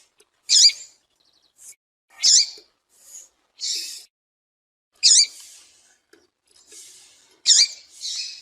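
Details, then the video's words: Female double-collared seedeater (papa-capim) call, played to make male seedeaters sing: sharp, high, slightly buzzy chips every two to three seconds, with softer notes between; no other sounds. "Esse Piado de Fêmea de Papa capim é Seu Papa capim Vai canta na hora!"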